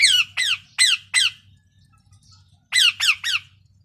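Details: Harsh, grating parrot squawks: four in a row, a quiet break of over a second, then three more, each a brief descending rasp, over faint low background hum.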